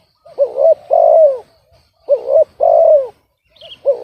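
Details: Kept spotted dove whose voice is described as off-key instead of the hoped-for deep tone: a short doubled hooked note followed by a long, drawn-out descending coo, repeated twice with a clipped start at the end.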